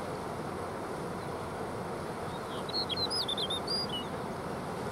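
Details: Snow bunting singing at Jökulsárlón Glacier Lagoon in Iceland: a brief run of high, quick twittering and warbled notes about midway through, set against a steady loud roar of wind or water.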